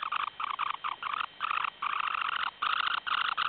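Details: Semipalmated sandpiper at a breeding site near Barrow, Alaska, gives rough, buzzy chattering bursts in quick succession, about three to four a second, with brief gaps, recorded for scoring calling intensity.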